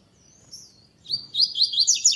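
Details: Double-collared seedeater performing classic song without the third note, second tournament stage: a long, thin, wavering high whistle, then a quick burst of bright, buzzy, chattering notes that grows louder toward the end.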